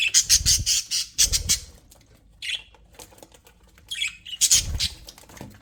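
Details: Budgies kept in an aviary chatter in quick harsh pulses, with a short warbled note mid-way and another dense burst of scratchy chirps near the close.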